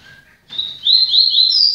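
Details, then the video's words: Yellow-bellied seedeater (papa-capim): after a faint, low whistle, a loud, high, sweet run of quick sliding notes begins and climbs slightly in pitch. "Papa capim El TANK entrando em ordem"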